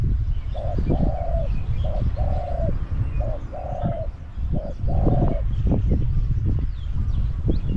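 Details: Caged Spotted dove decoy luring wild doves at Song Phi Nong, Thailand, gives repeated two-part coos, a short note then a longer level crooning note, about four phrases in a row, over constant low rumbling noise.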